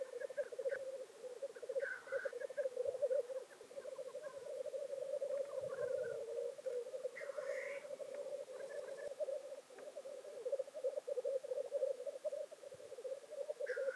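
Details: At a traditional lek near Llandegla Forest in North Wales, black grouse keep up an unbroken, throbbing bubbling chorus for fourteen seconds, punctuated by three or four explosive hissing calls, at about two, seven and fourteen seconds.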